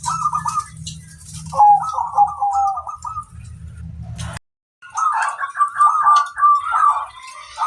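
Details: Local zebra dove in full song, recorded as a master to make other doves reply: rolling trilled coos over a steady low hum in the first half, then a brief silence and a louder run of bubbling notes.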